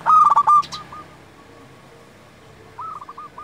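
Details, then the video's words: Local zebra dove singing, kept for luring wild doves and tutoring quiet ones: a quick cluster of ringing staccato coos opens, then a pause before a second short phrase starts. "Perkutut lokal gacor Paling Manjur Untuk Pikat & Masteran"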